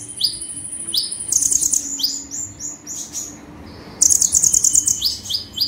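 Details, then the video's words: Sunbird (konin) singing gacor style: high upswept chips and a long thin whistle, interrupted twice by fast buzzy trills of pulsed very high notes. "KONIN GACOR FULL TEMBAKAN"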